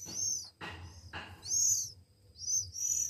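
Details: Hand-fed Oriental magpie-robin nestlings, one week old, give thin high squeals mixed with two harsh rasping bursts near the start, against a low background hum.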